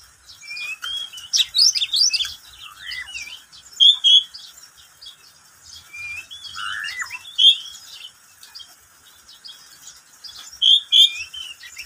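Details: Pet oriental magpie-robin singing in the middle of the day; bursts of varied whistled and sweeping notes with sharp chirps, phrases separated by short pauses of a second or two.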